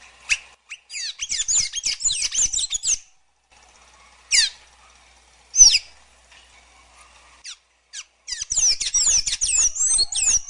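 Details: Sayaca tanager, with bursts of high, squeaky, twittering notes at the start and end, separated by a quiet gap broken by two short sharp chirps.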